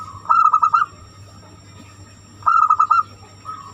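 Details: Zebra dove, banyumili type, in an Indonesian recording meant to coax other doves into song: two rapid bursts of five bright, even cooing notes, separated by about two seconds, over a faint constant hum.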